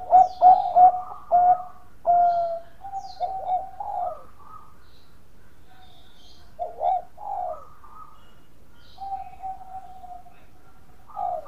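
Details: Lure song of an actively singing Bangkok-type zebra dove, meant to set other doves singing: a loud run of rapid, rolling low coos, then softer scattered phrases with a drawn-out level note and sparse high twitters behind.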